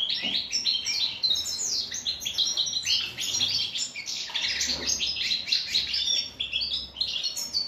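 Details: European goldfinch singing while being given cucumber, its favourite fruit: a fast, unbroken jumble of high liquid twitters, chirps and trills, with a brief soft rustle partway through.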